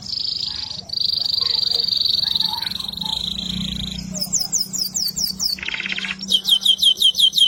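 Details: Canary of the AFS kind, singing vigorously as a tutor for other birds, opens with a long steady high rolling tone, then switches to quick descending whistled notes, a buzzy lower trill and further rapid note series.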